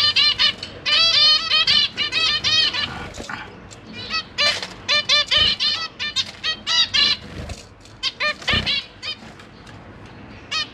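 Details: Caged zebra finches, a pair with six young of two broods, the newest just out of the nest, recorded 12 September 2023; dense runs of nasal trumpet-like calls, overlapping from several birds, with occasional soft thumps.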